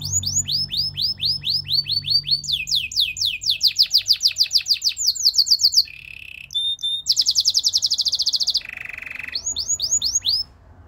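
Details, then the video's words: Belgian singing canary serving as a song tutor for other canaries, rolling series of fast downslurred whistles, a high steady trill, short buzzy rattles, and more whistled notes at the end. "The belgian singing canary"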